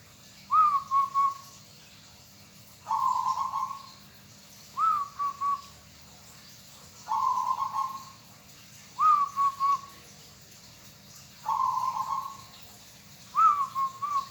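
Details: Local zebra dove singing continuously: seven phrases alternating a three-pulse coo with a smooth rolling trill, spaced about two seconds apart in a regular cooing pattern.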